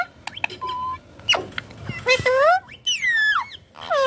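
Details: Ringneck parakeet talking during play with a mobile phone. Clicks and a flat short tone open, followed by longer sliding whistled syllables, one dropping steeply, then a final rising squeak.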